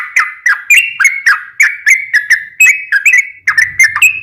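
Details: Gacor yellow-vented bulbul lure song: a quick string of gurgling, slurred notes at a steady pace, with a faint low hum entering near the end.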